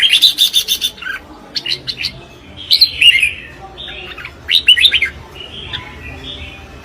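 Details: Competitive song of a Red-whiskered bulbul: loud, rich chirping phrases with sharp upswept notes and slurred whistles, in several bursts over a few seconds.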